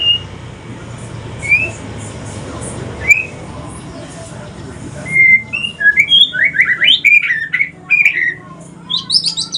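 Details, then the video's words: White-rumped shama, a mutation bird of the pastol type from Aceh, singing in the evening: scattered clear whistled notes, then a quickening series of slurred whistles and chirps rising higher toward the end, over steady low hum. "Kicauan sore hari murai mutasi ke pastol si paling cerewet"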